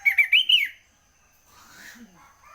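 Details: Sooty-headed bulbul singing early in the morning: a short bubbly phrase of four quick liquid notes rising then falling, followed by faint distant chatter.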